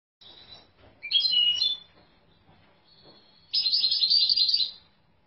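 A European goldfinch gives two bursts of fast, high, tinkling twitters, liquid and jangly, separated by a brief pause of thinner notes.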